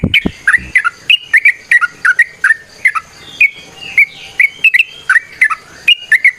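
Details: Energetic trucukan (yellow-vented bulbul) song in ropel, nrotok and ngecuplik variations, meant as a lure to get other birds singing; quick chattering chirps, some rising or falling, delivered about three per second with few pauses.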